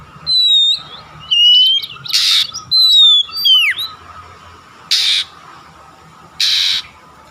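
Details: Oriental magpie-robin lure song to get kacer singing: several clear whistled notes, some dropping sharply, with harsh broadband bursts of sound at spaced intervals later.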